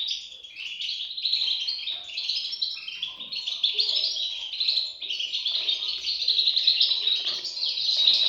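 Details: Goldfinch chicks (European goldfinch) produce a rapid, jumbled mass of high squeaks and tweets that gradually builds in strength toward the end.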